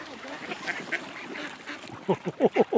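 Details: Mallard ducks at George Reiffle Park in 2014: a quick run of five loud, harsh quacks near the end, one about every sixth of a second, after a stretch of soft background chatter and muffled calls.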